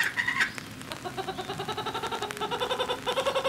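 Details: Laughing kookaburra at Higashiyama Zoo and Botanical Gardens, Aichi, Japan, on 18 November 2017, giving a fast run of rolling hoots that climb in pitch, three or four notes a second; a man's voice briefly at the start.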